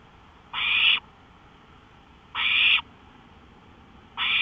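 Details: An owl on a porch at 1:53 AM, May 5, 2013, repeats a short, coarse hissing screech three times, about every one and three-quarter seconds, in otherwise quiet night air.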